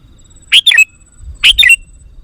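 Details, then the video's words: Sooty-headed bulbul call played to provoke wild bulbuls: two crisp, bubbly phrases about a second apart, each of three quick liquid notes dipping and rising, clear against quiet surroundings. "Suara Burung Kutilang Pikat GACOR Sekali Putaran Kutilang Liar Auto Emosi!"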